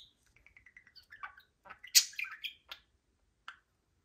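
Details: Pet budgerigars, energetic on a Friday morning indoors; a string of short descending chirps, then louder burst of squawky, scratchy chatter and a few separate chirps.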